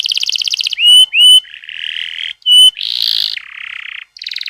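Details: Canary rolling song used as a lure for young canaries: a quick trill, pure ringing whistles, low buzzy rolls and a harsh chattering phrase, each segment changing abruptly to the next.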